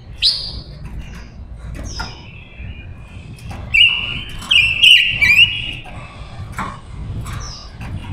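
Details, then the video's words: Captive female silver-eared mesia decoy singing to lure wild males, used for trapping and voice training; scattered high chirps lead into a sustained, warbling whistled phrase with quick inflections midway, then further short notes, over faint background rumble. "Ngũ sắc hót mồi gọi bổi"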